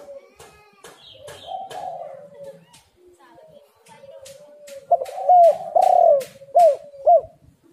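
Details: Spotted dove (derkuku) lure recording: soft cooing under repeated clicking taps, then four loud arched coos in quick succession near the end.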